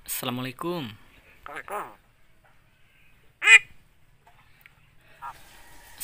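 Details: Javan myna, a very vocal talking bird that imitates the greeting Assalamualaikum, coughing and 'halo cewek': nasal, speech-like harmonic phrases at the start, two more around mid-clip, then a sharp cough-like burst, with faint scattered sounds after.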